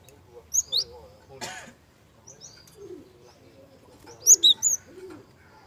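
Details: Java sparrow lure recording with a soft voice, used to provoke young birds into singing. Sparse high chirps, with two bright clusters of sharp, squeaky notes near the start and end, over faint low rustling.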